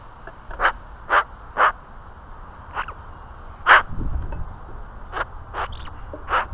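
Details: Australian magpie barking: short, harsh, bark-like bursts, about seven in six and a half seconds, spaced irregularly, over a low rumbling background.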